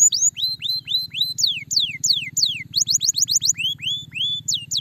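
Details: Canary song meant to stimulate a lazy canary into singing: varied rising and falling whistled slurs, some long descending sweeps, then quick clustered notes, all over a steady low-pitched hum.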